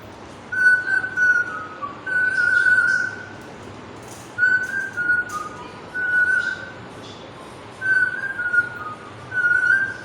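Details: Pet parrot whistling the Bollywood film tune "Kuch Kuch Hota Hai": clear, steady whistled phrases with small pitch steps, repeated in four bursts with short pauses between.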